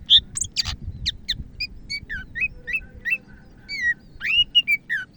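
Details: Medan-type greater green leafbird singing energetically, giving clear whistled notes that rise or fall, some looping and buzzy, spaced irregularly with brief squeaky chirps between them, above a soft low rumble.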